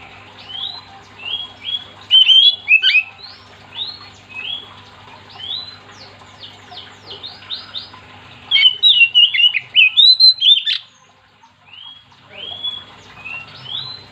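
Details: Energetic Oriental magpie-robin song meant to draw other magpie-robins into singing: a long run of short whistled chirps, repeated quickly, swelling into two loud, dense bursts of slurred notes, then a brief pause and quieter rising whistles; low hum throughout.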